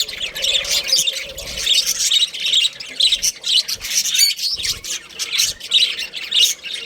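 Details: Budgerigars, a breeding pair of Australian parrots: continuous busy warbling of chirps and squeaky notes, pulsing roughly twice a second, with faint low bumps of movement.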